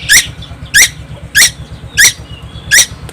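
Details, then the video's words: Five coarse, buzzy squawks from a young tuwu of Timor Island, evenly spaced roughly every 0.6 seconds, part of its nonstop noisy singing; low hum in the background. "burung tuwu Pulau Timor gak pernah diam."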